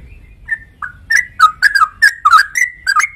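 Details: Sooty-headed bulbul song: a few spaced whistled notes that quicken into a tight, bubbling chain of rising and falling phrases, loudest in the middle.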